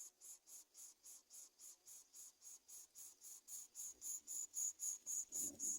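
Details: Hungry greater coucal chicks begging for food as a parent brings locusts: rapid, breathy, high hissing pulses about four per second, steady and growing louder toward the end, with a brief low rustle near the close.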